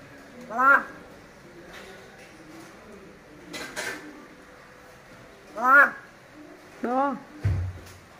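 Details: A free-roaming common hill myna imitates a human voice calling a baby's name, "Chõn ơi", giving the short two-syllable phrase three times with faint clicks and knocks between, ending in a dull thump.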